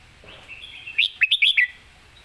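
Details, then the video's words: Competition red-whiskered bulbul singing a master-song phrase: a single rapid run of five bright, warbling notes rising and falling, with a faint chirping bird before it. "เสียงดี''สำนวนชัด เพลงแม่บท/นกแข่ง#เสียงนกกรงหัวจุก"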